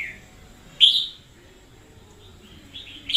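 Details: Red-whiskered bulbul decoy singing vigorously in 2021: a soft opening note, then one loud, sharp, rich whistled phrase, a long pause, and fresh notes starting at the end.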